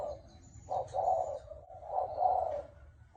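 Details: Hoarse-voiced Thai spotted dove cooing to lure birds. Two drawn-out, rough low coos swell and fade about a second apart, with a faint high whistle in the background.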